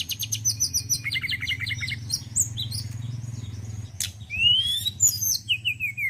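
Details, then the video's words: Male forktail, praised for its song: rapid repeated high chirp series, buzzy twitters, then a long rising whistle and short falling whistled notes over a steady low hum. "TLEDEKAN GUNUNG JANTAN YANG BAGUS KICAUANNYA"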